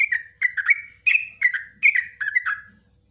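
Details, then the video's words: Yellow-vented bulbul giving a long training song for cage birds: a steady series of quick, bubbling two-note slurs dropping in pitch, about seven phrases in three seconds, faint low hum behind. "LIVE TRUCUKAN ROPELAN NGUKLIK NGECRUK"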